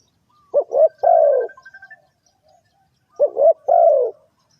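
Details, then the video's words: Spotted dove cooing in a bird-trapping context: two phrases of clipped double notes ending in a long throaty falling coo, with a faint quick run of soft notes from another bird between them. "Suara Tekukur"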